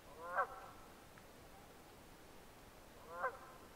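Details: Red-breasted merganser uttering two short, honking nasal calls nearly three seconds apart, the first followed by a faint trailing note, over a hissy background.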